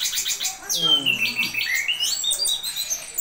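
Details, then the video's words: Orange-headed thrush pouring out rapid high chirps, then a long falling whistle followed by quick clear whistled notes stepping up and down. "Anis Kembang Janoko Konslet"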